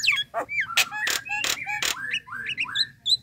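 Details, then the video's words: Nias hill myna calls used to draw a response from a bird, described as a relaxed, non-frightening sound: loud broadband squawks alternate with clear whistled notes that bend up and down. "PANGGILAN JALAK NIAS - SUARA SANTAI TIDAK BIKIN TAKUT DAN PASTI BUNYI"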